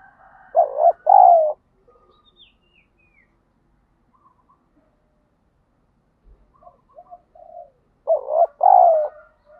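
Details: Spotted dove calling for fight training and decoy luring; two loud two-part coo phrases about eight seconds apart, with faint, softer coos from another dove between them.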